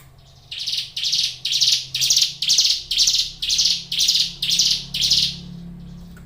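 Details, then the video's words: Steady song of a caged hill prinia (ciblek gunung): about ten loud, buzzy, scratchy notes in a regular run, roughly two each second, then silence. "suara ciblek gunung gacor"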